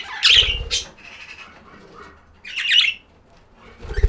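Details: Budgerigars indoors giving two loud, harsh squawking bursts a couple of seconds apart, with low thumps and soft chatter between them.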